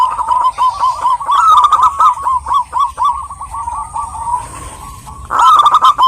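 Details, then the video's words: Zebra dove female calling a male, a fast string of warbling coo notes about four per second, fading to a quieter stretch before a loud rolling coo returns at the end. "burung perkutut gacor betina memanggil jantan ini"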